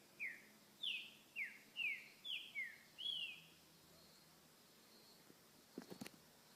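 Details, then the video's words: Green-winged saltator in the wild, repetidor song: seven quick whistled notes falling in pitch, delivered in a rapid burst over about three seconds, then quiet, ending with a few dull knocks. "trinca repetidor souto na natureza"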